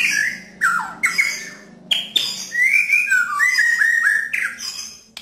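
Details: Rough, clear 'nembak' singing of a white-rumped shama meant to coax a silent shama back into song: bold slurred whistles, rising and falling, broken by abrupt harsh snaps.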